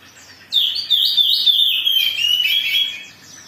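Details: Oriental magpie-robin in agitated, vigorous song used as a lure to provoke other birds into singing: a loud, continuous run of high whistled and scratchy notes, quickly varied and falling slightly through the phrase, over a quiet background.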